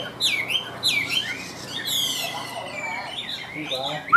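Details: Tam Hoàng Chinese hwamei in a cage, delivering short bursts of high falling whistles, then rising and twisting phrases, ending on a sharp upward note.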